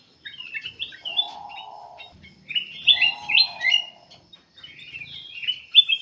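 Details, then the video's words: Black-capped bulbul in full, lively song, used as a lure to get other birds singing; bursts of bright, varied whistled phrases broken by short pauses, with two low buzzing hums in the background. "KUTILANG EMAS \ CUCAK EMAS GACOR FULL GACOR sangat bagus buat pancingan \ pikat"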